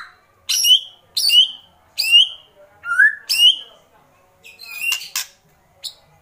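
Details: White-rumped shama, agitated, repeating a harsh-edged downslurred whistle about once a second, each note starting with a rasping click, followed by softer chips.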